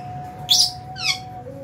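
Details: Aviary lovebirds feeding at meal time in January: two separate shrill chirps, the second with a falling, slurred tail. A faint steady hum runs underneath.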